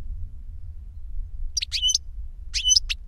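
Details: European goldfinch reclamo from a tutor bird or its novice pupil, who learned by CD. Low hum at first, then two brief groups of high, clear chirping notes near the end.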